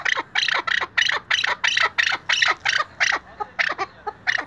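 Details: A tethered or captive chukar partridge (Alectoris chukar) gives a rapid run of harsh, raspy chuck notes, about three each second, building into a steady clucking chant.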